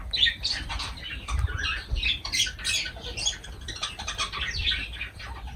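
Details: Lovebirds chattering during a meal with dense, overlapping shrill chirps and squawks, several birds apparently calling at once, plus low knocks and hum.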